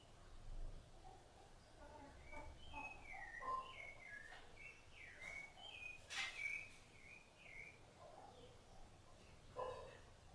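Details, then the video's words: While bringing food to its chicks, a Rufous-bellied thrush sings a flowing string of whistled notes that dip and rise. Sharp clicks and knocks cut through the song. "SABIÁ LARANJEIRA CANTO"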